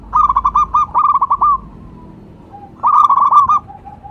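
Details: Local zebra dove (perkutut lokal) calling, used as a lure and stimulus call: two bursts of rapid, stuttering coos near one pitch, each ending in a drawn-out trill, separated by a quiet gap with faint background coos.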